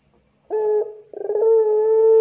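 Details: Ringneck dove calling to draw other doves into answering. A brief hollow note comes first, followed by a quick purring roll that settles into a long, even, low coo.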